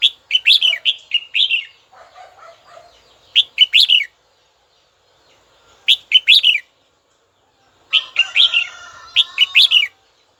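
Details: Red-whiskered bulbul calling a rival: four bursts of cheerful, jerky warbled notes, roughly every two to three seconds, with faint softer twitters in the pauses and some blurred background chatter near the end.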